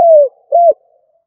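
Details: Spotted dove used as a decoy, giving a stuttering coo: a long, gently falling hollow note followed by a shorter, rounded coo, with clean background.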